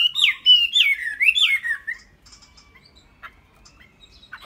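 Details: Chinese hwamei kept as a tame cage bird gives three loud, swooping whistled phrases, each dipping and rising, before falling almost silent with only faint scattered notes.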